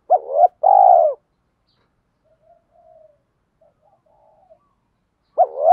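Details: Spotted dove call recorded to stir up trained birds, featuring males and females. A strong two-part coo opens, followed by near silence with faint soft notes, and the next coo starts about five seconds later.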